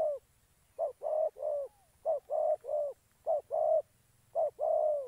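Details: Spotted dove decoy used for trapping in Gia Lai, Vietnam, calling in phrases of a short coo then a longer falling coo, four phrases in five seconds, clean background.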